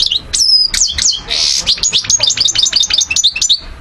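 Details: Goldfinch song recorded in Algeria in 2012: sharp whistled upslurs, a brief harsh buzzy note, then a quick chain of repeated chirping, tinkling notes at a steady lively pace.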